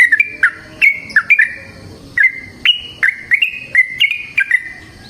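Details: Free-living yellow-vented bulbul singing a long rapid 'ropel' series: clear bubbly notes, some paired, stepping between higher and lower pitches with uneven short pauses.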